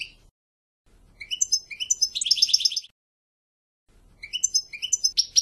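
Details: A goldfinch sings in short twittering bursts separated by pauses. The middle has a dense, buzzy trilled stretch, and sharp high chirps resume near the end.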